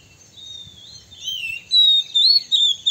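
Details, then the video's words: Lure song of an Oriental magpie-robin meant to provoke rival birds: soft warbling builds into loud, sweet whistled phrases that wobble up and down, ending in short clipped notes. "suara PIKAT kacer PALING DI CARI 2024 / SUARA BIRUNG KACER BIKIN EMOSI LAWAN"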